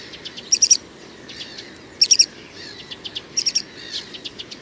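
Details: Great grey shrike male song, three bright, high bursts of rapid clicking chirps about a second and a half apart, with faint twittery notes in the gaps.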